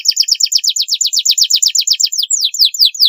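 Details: Long-duration canary song recorded to tutor young birds, steady run of quick down-slurred chirps repeated almost three per second, breaking into slower sweeping whistled notes at the end.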